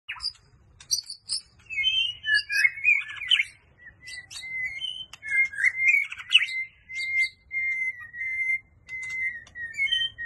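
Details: White-rumped shama singing with constantly changing phrases: clear whistles and rising, falling slurs, then a run of steady repeated notes at one pitch, with short pauses between phrases.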